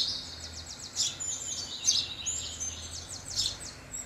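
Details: House sparrow kept as a pet sparrow, around food: high, bright chirps in quick twittering runs, with three louder chirp bursts near one, two and three and a half seconds over a low steady hum.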